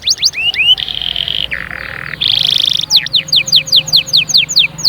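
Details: Singing canary intended to make chicks sing and prepare females: sharp slurred notes, sustained buzzy rolling tones at different pitches, then a series of quick, high, downward-sweeping chirps.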